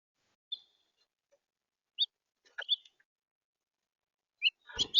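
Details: Red house finch in central Florida giving short, high chirps scattered over a few seconds, some bright single notes and a quick cluster, ending with a louder broadband rustle or burst.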